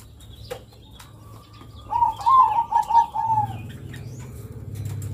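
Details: Local zebra dove (perkutut lokal) with long cooing used as a lure for young birds; a short run of rolling coos midway, amid low rumbling background noise.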